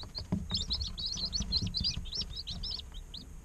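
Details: Several day-old chicks, baby chickens in an incubator, chirping in a fast steady stream of high, sharply arched peeps, closely packed and overlapping, over a low rumbling background.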